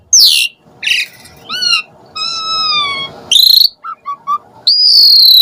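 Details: Asian pied starling calls used to lure starlings into song; harsh descending squawks, a long steady layered whistle, a rasping burst, three short low whistled notes, then a sustained harsh note.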